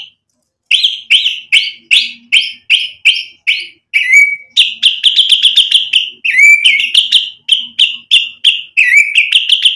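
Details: White-rumped shama (murai batu) in full gacor song, used as a lure to provoke replies: about twenty short, bright chirping notes in a fast regular series, broken twice by a lower slurred whistle, with no other sounds.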